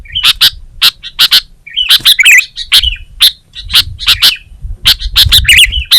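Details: Sooty-headed bulbul (kutilang), Indonesian songbird in full gacor singing: sharp, broad chirps in pairs and bursts, mixed with short warbled, bubbling phrases, loosely repeated throughout, with a soft low rumble beneath.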